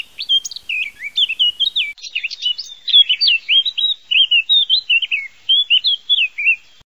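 A Eurasian blackcap sings a fast, unbroken warble of varied chattering and sweet, slurred notes, sustained for about seven seconds against a quiet background.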